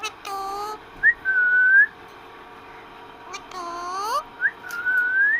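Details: Parrot kept as a pet, talking with its owner: a flat, harmonic, voice-like note, a long clear whistle lifting at the close, then sweeping rising notes and another whistle.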